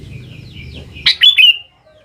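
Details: Sooty-headed bulbul used as a lure to make young birds respond: a loud burst of bright, bubbling whistled notes near the end, after faint high chirps from other birds over a low hum.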